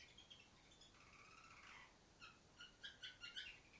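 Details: Caged female canary singing atop a distant cage: soft, drawn-out warbled notes at first, then a burst of short, sharp, high chirps repeated rapidly toward the end, fairly faint overall.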